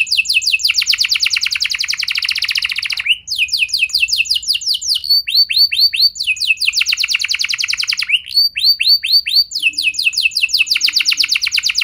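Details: Canary song played to lure other canaries into singing: long rapid trills of high buzzy repeated notes, some falling whistled slurs, switching between rolls every one to three seconds, with a faint low hum beneath.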